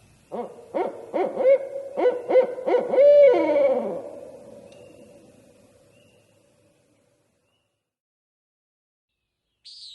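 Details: Barred owl; territorial call; territorial calling toward a neighbouring pair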